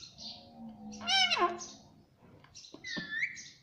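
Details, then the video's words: Pet parrot saying "mummy" indoors: a loud, harmonic, falling syllable, then softer clicks and a thin rising whistle-like tone. "Parrot Talking Mummy Mummy"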